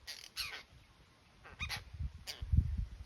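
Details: Apostlebirds in the Northern Territory, Australia, wild: short harsh, grating bursts, about five within three seconds, some doubled, over low thumping and rustling noise.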